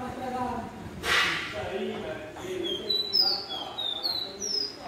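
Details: A caboclinho pé de serra, also known as serrano or Santa Maria, kept caged at a metal workshop, sings after a man's voice fades: a string of sharp, high whistled glides, rising and falling, over low room noise.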